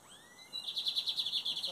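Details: Lined seedeater singing in a song competition during the 2023 season, metálico versus torneiro song styles: after a faint rising whistle, a fast run of high, evenly repeated chirping notes fills the second half.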